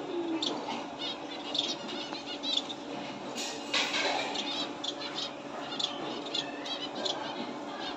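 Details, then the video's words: Several finches keep up quick, high-pitched chirps and short twittering notes throughout. A brief rustling burst near the middle may be wing movement, and a constant low hum sits underneath. "ফিঞ্চ পাখির কিচিরমিচির l Finches Bird"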